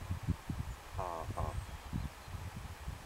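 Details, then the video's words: Willow ptarmigan met in Denali, Alaska: two short, nasal, harmonic barking notes in quick succession, the second briefer, over low thumping and rumbling background noise. ""Alaskan Chicken" -- BOW BOW BOW"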